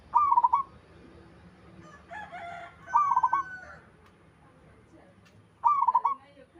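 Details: Local zebra dove repeating its short stuttering coo phrase three times over several seconds, while another bird answers with a different call between the phrases against a light hum of background noise.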